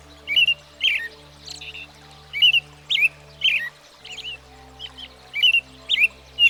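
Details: Backyard American Robin delivering spaced, slurred caroling phrases, each a brief mid-pitched warble, repeated roughly twice a second with small gaps and a low constant hum in the background.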